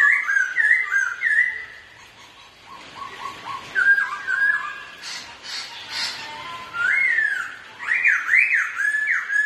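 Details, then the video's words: Two Black-throated laughingthrushes competing in song while also dancing, trading loud, clear whistled phrases that slur up and down in quick bursts, with a brief scratchy pause midway. "2 Khướu Thi Nhau Hót"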